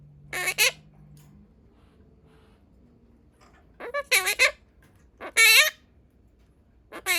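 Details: Pastel blue monk parakeet kept as a pet, mimicking speech: short clustered bursts of buzzy, voice-like syllables with strong harmonics, spaced by seconds of quiet and a faint low hum.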